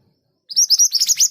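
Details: Scarlet minivet in full song: a quick run of about six high, bright chirping notes, evenly spaced and sharply accented, starting after a short silence.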